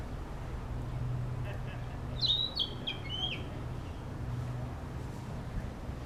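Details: In an urban park, a Narcissus flycatcher practising its song sings a short phrase of clear whistled notes that step downward in pitch, set against a constant low rumble of city noise.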